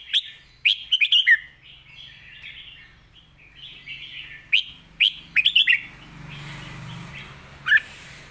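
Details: Red-whiskered bulbul in clear, full master song: quick bursts of bright, ringing chirps between gentle warbles, phrases recurring twice, with a low hum and faint hiss in the background.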